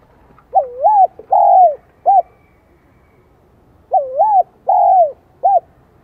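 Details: Spotted dove singing in the high 'son' voice, starting to be roused by a decoy bird in Vietnam: two matching phrases a few seconds apart, each a dipping coo, a long drawn falling coo and a brief final note.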